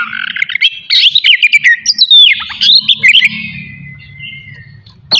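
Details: Oriental magpie-robin singing in the morning to provoke aggression and breeding urge in other magpie-robins; rapid chattering and down-slurred whistles, ending in a long fading whistle, with faint low background hum.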